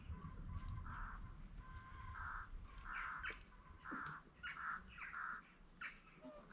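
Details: Green and Spalding peafowl kept on a farm: a run of loud, clipped, honking calls repeated roughly every half second to second, with low rumbling background noise and a few sharper chirps.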